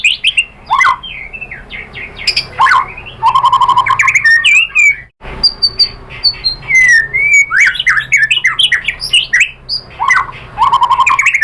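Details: Lure song of a white-rumped shama, used to draw a reply: bursts of rich, varied whistles and harsh squawky notes, a short silence midway, then more rapid slurred phrases.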